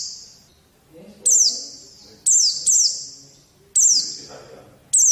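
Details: White-eye training song for young birds: high, bright whistled phrases sliding downward, about five bursts at uneven intervals, with soft lower murmuring sounds in the background.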